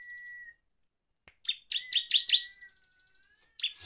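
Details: Bar-winged prinia song used as a lure to excite other birds, 'gacor ngeplong' style: a brief level whistle, a pause, a sharp click, then a quick run of bright chirps over a low sliding tone.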